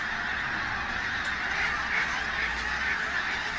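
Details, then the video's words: Pink-footed geese, a busy mobile flock at Martin Mere WWT Reserve, Lancashire, bright day in October 2012; louder massed honking with a few individual calls rising above the chorus. "Pink- Footed Geese"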